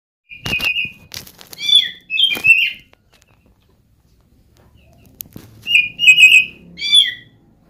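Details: Oriental magpie-robin, locally called kacer, in a lure recording meant to set other birds singing, described as cat-like: loud clear whistled phrases with bright sweeping notes, then a pause and a second burst of slurred whistles.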